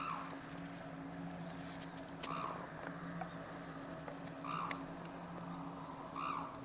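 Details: Captive black-necked crane at Akan International Crane Center, Japan, recorded January 8, 2006: faint, distant, hoarse trumpeting notes repeated about every two seconds over a steady background hum and noise.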